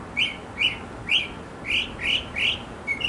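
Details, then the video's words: A male mockingbird in a backyard, singing to attract a female, repeats one harsh, rising note about every half second, six times in a row. "Mocking Bird 200 Sounds to Get the Girl!"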